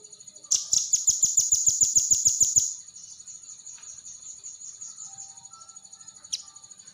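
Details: Velvet-fronted nuthatch: a fast run of about twelve sharp, high, even notes over two seconds, then fainter high chatter and a single later note, with a steady hum underneath.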